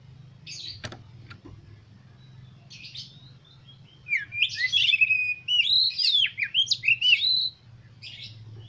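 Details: Oriental magpie-robin song used as a lure to prompt other magpie-robins to sing and spread their tails: faint notes, then a burst of varied whistles, slurs and chirps over a steady low hum.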